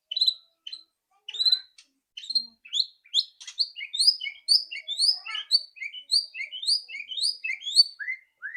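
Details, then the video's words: White-rumped shama song, loud and rattling, played to spur a bird into singing quickly: opening notes and clicks, then a long run of rapid high chirps and slurred whistles repeated without pause. "PANCINGAN MURAI BATU AGAR CEPAT BUNYI ketrekan keras murai batu"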